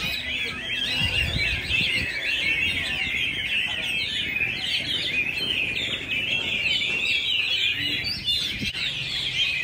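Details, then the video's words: Caged Chinese hwamei in Hanoi during very cold winter days, being trained at a weekend practice for a 17 December singing contest, pours out a loud, unbroken song of rich, rapidly varied whistles and trills, with faint low background rumble. "Tập dượt Hoạ Mi chuẩn bị thi đấu"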